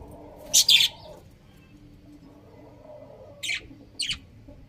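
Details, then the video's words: Budgerigars chirping: a quick pair of sharp, scratchy high notes, then a long pause before two more short bursts near the end, over a quiet low hum. "Cute Budgies Chirping Sounds"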